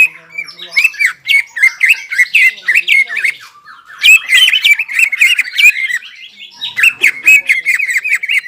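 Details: Greater green leafbird singing vigorously with its crest raised, in squawky, chattering runs of fast notes broken by short pauses, thick with rapid harsh and whistled elements.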